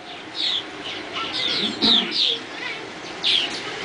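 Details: Swallows at dawn giving scattered short, high chirps and twitters, a few louder notes standing out against a soft background hiss.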